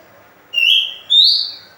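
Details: Oriental magpie-robin whistling, played to lure other birds: two clear whistled notes, the second higher and rising, in quick succession.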